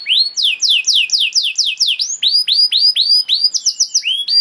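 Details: Singing canary, a recording meant as master song for young canaries and to prompt birds to sing: steady series of bright downslurred whistles about four per second, shifting to rising upslurred notes and a short quick rattle near the end.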